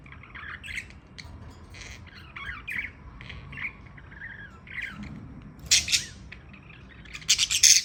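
Budgerigars chatter with quick warbling chirps and scratchy squawks, rising to harsh bursts near the end.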